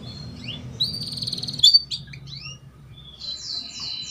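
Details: Female canary calling to encourage young canaries to sing: high whistled notes and a sharp chirp, then slurred downward whistles and, near the end, a series of thin, high sweeping notes.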